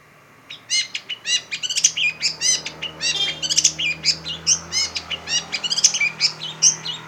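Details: Long-tailed shrike, known locally as pentet, singing a fast, dense run of sharp, high, chattering notes with bright ringing accents, repeated in quick bursts with almost no pause.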